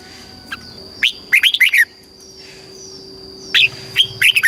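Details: Thai caged red-whiskered bulbul, song in the southern master style meant to stimulate and teach birds. A single soft note, then a rapid run of chirpy warbled whistles, a pause, and another bubbly phrase, with a thin steady background tone.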